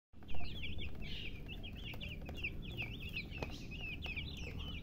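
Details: Baby chicks chirping: a steady stream of high, quick, up-and-down peeps from several birds, nearly continuous, over a loud low rumbling background.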